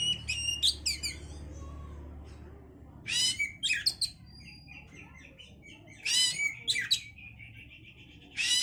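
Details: An oriental magpie-robin sings to stir breeding condition. Loud rasping bursts and trilled chatter recur every few seconds, linked by softer, warbled notes and thin whistles, with a low hum underneath.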